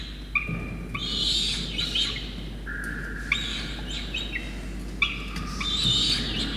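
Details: Young Peregrine falcon begging while soaked parents deliver a soaked starling, Orange, New South Wales, Australia, 5 November 2021; squealing calls mixed with shorter flat whistled notes, sharp clicks between them, low background noise.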